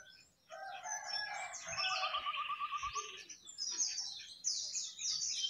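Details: Jongkangan singing hard on top of its cage: varied chattering whistles with a quick rattling trill of repeated notes in the middle, followed by high, scratchy squeals.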